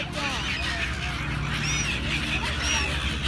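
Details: Gulls squeal in short, high, arched notes, some doubled, against a constant murmur of other calling birds and a low droning background.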